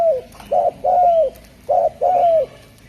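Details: Derkuku, the spotted dove of Java, cooing clearly: a short low note followed by a longer sliding coo, the pair given twice in quick succession.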